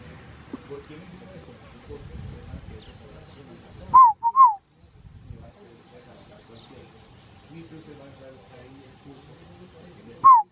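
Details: Scaled dove in Guaviare, in Colombia's Amazon region. It gives a short two-part call, a rising note and then a falling note, once midway and again at the end, over a low background murmur and hiss.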